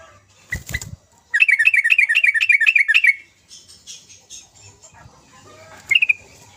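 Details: Sooty-headed bulbul singing energetically, recorded as a lure to get lazy birds singing: a brisk run of about a dozen bright, bubbly chattering notes repeated quickly for two seconds, after a short thump, with scattered softer notes and one final chirp.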